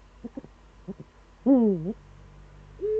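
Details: Eurasian eagle-owl in the Eifel, morning of 26 September 2013: a few short soft pulses, then one loud warbling hoot falling and rising, followed by a thinner rising tone.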